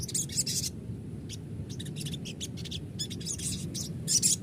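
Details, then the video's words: Lure sound of a crested jay, meant to get a caged bird singing and replying: dense clusters of hissy, high-pitched chirps in uneven bursts with short gaps, low hum underneath. "pancingan sogon bahan agar rajin bunyi dan ngalas,sogon bahan auto nyaut"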